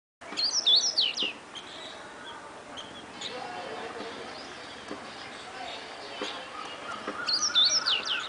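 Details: White-browed wagtail perched on a concrete bridge column over the Gambhir River, Mhow, Indore district, Madhya Pradesh, India, 20 March 2012: two brief bursts of high, sweet, warbling notes several seconds apart over steady rushing river water.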